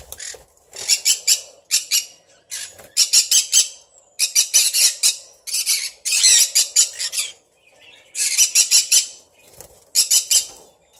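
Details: Captive Sun Conures kept alongside red factor birds, giving loud, harsh, buzzy squawks in rapid bursts of several notes, separated by brief pauses, with a faint hum in the background.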